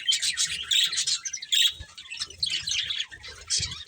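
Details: Budgerigars chirping while eating, giving bursts of sharp, high warbling chirps with brief gaps between them and occasional soft low thuds from feeding.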